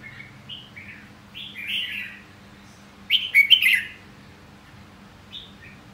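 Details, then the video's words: Red-whiskered bulbul singing short, liquid warbled phrases of rising and falling whistles, with a louder, bubbling burst in the middle and soft trailing notes. A faint low hum runs underneath. "Giọng hót chào mào"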